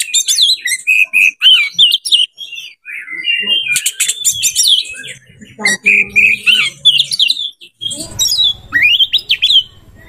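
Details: Oriental magpie-robin singing to seek a rival to fight, a loud, varied stream of whistles, clicks, buzzy chatter and slurred notes, with brief pauses.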